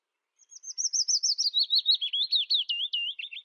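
Willow Warbler song: a soft, sweet phrase of about fifteen slurred whistled notes that starts quietly, then trickles steadily down the scale over three seconds.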